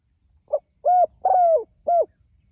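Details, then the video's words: Spotted dove calling out to others with one full phrase: a brief soft note, a mellow coo, a drawn-out falling coo and a closing coo, in quiet surroundings. "Suara Burung Tekukur Gacor Memanggil Temanya"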